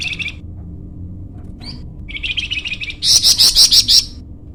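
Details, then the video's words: Flamboyan bird used to lure and train birds: a short high trill, a brief note, a buzzy chatter, then a loud series of sharp, evenly pulsed shrill chirps lasting about a second. "masteran burung flamboyan"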